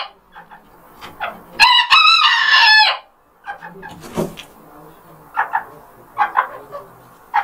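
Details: Rooster crowing to greet the morning: one loud, wavering crow of over a second, followed by scattered soft clucks and distant bird calls.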